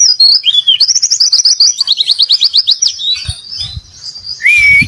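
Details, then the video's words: 'Gacor isian' singing by an Oriental white-eye: a sweet slurred opening whistle, then a rapid series of high, evenly repeated chips forming a long trill, fading to softer twitters before a rising whistle, while low knocking sounds occur near the end. "Pleci Gacor Isian"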